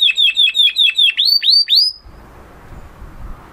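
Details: Excited 'mast' male canary: about two seconds of repeated chirped notes rising into upward-sweeping whistles, followed by quiet background hiss.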